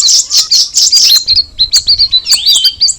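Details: Cucak rawis (straw-headed bulbul) song: a few loud, rough chirps at the start, then a series of thin downslurred whistles and quick twittering notes, high and clear.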